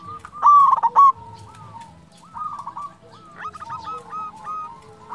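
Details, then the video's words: Gacor local zebra dove cooing, aimed at making rival doves answer: an opening loud trilled coo burst, then softer rising-and-falling coo phrases over a low rumbling background. "Perkutut lokal gacor suara merdu cocok untuk pancingan di jamin bikin lawan nyaut"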